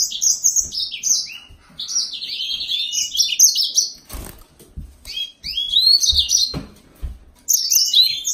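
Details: Yellow-fronted canary song: rapid high twittering phrases of slurred, sweeping notes, with brief pauses and a renewed burst near the end.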